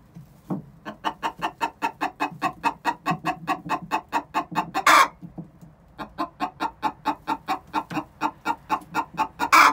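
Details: Before laying, two six-month-old hens repeat the egg song: long, evenly spaced trains of clucks, each run closing in a loud rasping squawk.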